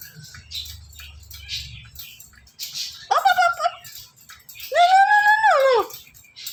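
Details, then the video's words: Pet Indian ringneck parrot that follows its owner around, giving two loud, harmonic, voice-like utterances: a short one, then a longer sustained phrase that rises slightly and drops at the end, over faint background noise. "talking parrot"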